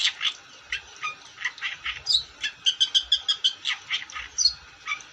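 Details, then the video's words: Long-tailed shrike in song, mixing harsh scratchy notes with a run of clear, even whistled chirps repeated rapidly, followed by more rasping phrases and soft low thuds. "Burung cendet gacor"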